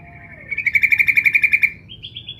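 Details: Female sooty-headed bulbul calling the male, used as a lure to draw a response: a single rapid trill of about fourteen even, bright pulses lasting just over a second, then a brief higher, softer phrase.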